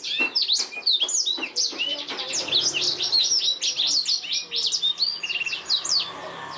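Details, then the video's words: Canary tutor recording of a black-throated canary: a long unbroken stream of bright, high twittering notes, quick upslurred whistles and rattling trills pouring out rapidly. "BLACKTHROAT GACOR SUARA JERNIH UNTUK MASTERAN KENARI"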